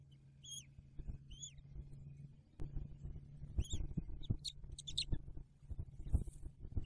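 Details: Bald eagles at the nest with a newly hatched eaglet, December 2022: a few sharp, high chirps spaced about a second apart, then short clipped notes, over a steady low hum and scattered knocks.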